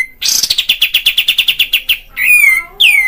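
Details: Kapas tembak bulbul in full chatter, used as a lure for caged birds: a rapid trill of about fifteen notes, then two loud whistles sweeping down in pitch.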